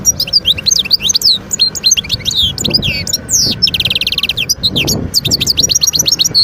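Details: European goldfinch, a wild bird recorded in Skikda, Algeria in 2022, delivering a lively run of twitters, slurred whistles and a fast buzzing trill, then more chattering notes, with low background rumble.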